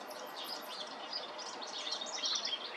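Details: High, thin, varied robin song, jumbled twittering notes that grow busier toward the end, with steady noise underneath.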